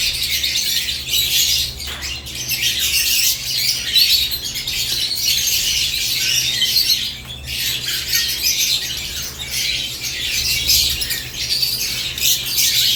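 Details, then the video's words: Lovebirds caged at morning keep up a long, dense chorus of thin, high chirps and squawks, swelling and easing slightly across the stretch, over a steady faint hum. "Morning Lovebirds Cage Moments | Natural ChirpingSounds"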